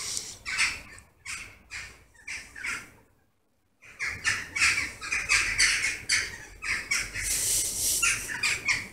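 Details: Jackdaw flock gathering at its favourite evening roost in August; rapid series of short, harsh calls about two per second, a near-silent pause of under a second, then a denser, louder chorus.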